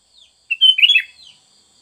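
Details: Sooty-headed bulbul, recorded for training caged birds, gives one quick chortling phrase of mellow whistled notes, followed by a soft trailing note and faint quiet chirps.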